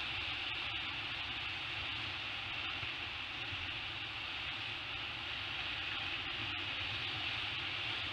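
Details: Steady broadband hiss with a low rumble, like wind or distant traffic, and a few faint scattered clicks; no calls stand out.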